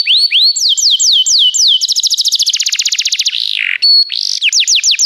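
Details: Canary training song with rising slurs, downslurred whistles, a fast rolling trill, one harsh buzzy note, then more quick sweeping notes.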